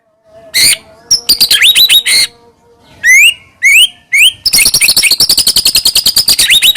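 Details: White-rumped shama song used to provoke a rival shama to sing: separate sharp notes, rising whistled swoops, then a rapid rattling run of repeated high notes.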